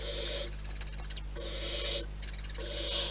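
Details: Barn owls calling at the nest in the wild: three drawn-out, raspy hisses in quick succession, each about half a second, with a constant low hum underneath.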